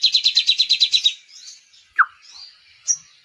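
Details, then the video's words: A sunbird opens with a quick run of about ten high, evenly spaced chirps. Softer twittering follows, broken by a sharp downslurred note and one thin high whistle, in a song filled with kapas tembak phrases. "SOGON ISIAN KAPAS TEMBAK"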